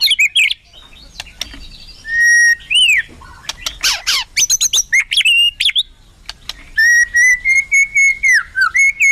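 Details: Energetic white-rumped shama song packed with varied fill-in phrases: buzzy bursts, down-slurred whistles and a long steady whistle leading into quick repeated notes, loud and continuous.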